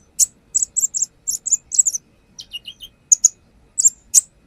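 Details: Brown-throated sunbird singing energetically as a lure, revealing its song fill-ins: bursts of loud high chips, a short group of descending slurred notes, then more spaced sharp chips.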